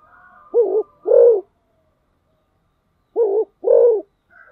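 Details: Spotted dove in fast 'thúc gù' cooing: two pairs of deep, soft coos, a brief note leading into a fuller one, separated by a two-second silence.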